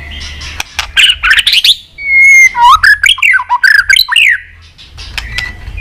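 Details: White-rumped shama singing a fast, chattering many-voiced song used to provoke fighting song: loud warbled notes and sweeping slurred whistles rising and falling, then a quieter buzzy tail, with soft low hum beneath.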